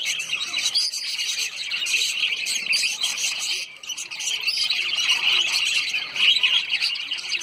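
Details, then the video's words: Lovebirds, small social parrots, in Sayaji Baug garden, Vadodara, Gujarat, India: dense, shrill, high-pitched chattering and squawks from many birds, overlapping continuously with only a brief lull midway. "INDIAN LOVE BIRDS"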